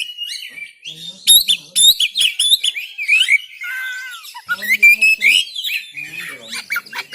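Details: Oriental magpie-robin (kacer) song recorded on an Android phone in Banten, Indonesia, used to prompt other magpie-robins to sing: varied, rich whistled phrases with rapid sliding and trilled notes, sharp bursts and quick changes of pitch.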